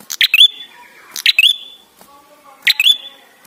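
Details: Ashy tailorbird, the red-headed prenjak, singing as a lure to prompt other birds to call: sharp high chips ending in a bright downslurred whistle, repeated in three bursts about a second apart.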